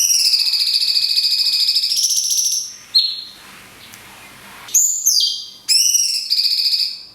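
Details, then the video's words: Cungkok in the 'tembakan kunti panjang' style, a tutor recording for songbirds: a long, sustained, high vibrating whistle for over two seconds, a brief pause, then more high trilled, ringing notes. "CUNGKOK TEMBAKAN KUNTI PANJANG - JEDA ALAMI"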